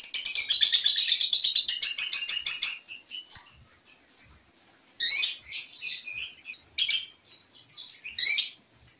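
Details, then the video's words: Terrace trial of a young lovebird learning to sing: nearly three seconds of fast shrill ngekek chatter, then scattered short squeaky chirps and brief bursts separated by silences. "TES DRIVE LOVEBIRD PAUD NGEKEK DI TERAS"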